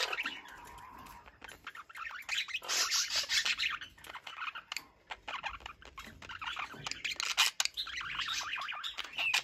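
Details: Pair of pet budgerigars conversing indoors: continuous scratchy warbles, squeaky chirps and rapid twitters, rising in bursts, with a thin whistled note early on.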